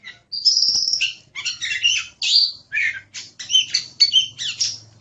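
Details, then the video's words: Oriental magpie-robin in strong song, opening with a high whistle and running into a steady string of varied chirps, trills and rasping notes, with a faint low hum beneath. "Suara Burung Kacer | Gacor"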